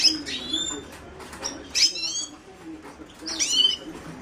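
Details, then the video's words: Song of the Himalayan goldfinch (Carduelis caniceps): three short bursts of high, sweeping, twittery notes with thin whistled tones between them, over a low background hum. "تغريد حسون الهيمالايا chant de chardonneret hymalaya"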